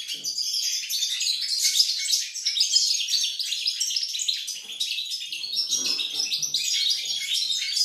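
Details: Singing European goldfinch, 28 November 2020: a steady outpouring of sparkling twitters and buzzy, rattling trills, with the phrases flowing one into the next and peaking in loud bursts near the middle.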